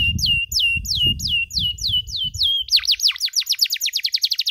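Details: Canary used as a training recording for other canaries learning cuit cuit: evenly spaced falling chirps, then a faster run of sharp downward sweeps, with low rumble early on.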